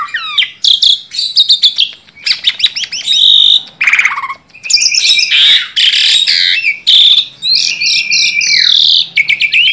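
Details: Energetic song from a tame Asian pied starling: rapid chatters, a dense rasping burst, scratchy buzzy phrases, repeated stepped whistles, and squeaky notes with only brief gaps.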